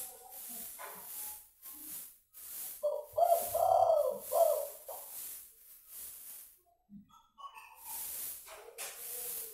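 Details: Spotted dove, a caged bird raised from a chick and now calling, gives its cooing song with only one final 'kuk': low, hollow coo phrases, one longer burst mid-recording, with hissing noise in the background.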